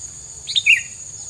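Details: A single bird chirp: two rapid high notes run together, the second stronger and slightly falling, set against a soft steady hiss.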